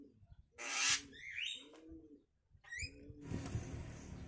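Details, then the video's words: Caged Javan myna nestlings aged five days, fed alternately by the male and female parents, formerly pets and now living free. A loud harsh rasping burst is followed by high rising squeaks and more scratchy noise. "Indukan Burung Jalak meloloh Anaknya"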